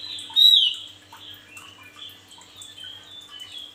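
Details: Male Javan grey-throated white-eye in energetic song, used for tutoring birds: one loud high descending whistled sweep near the start, then a run of soft, thin warbled twitters; faint steady low hum.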